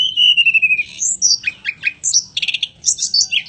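Mountain robin song: a long, thin whistle sliding gently downward, then a quick run of high, varied chirps and trills.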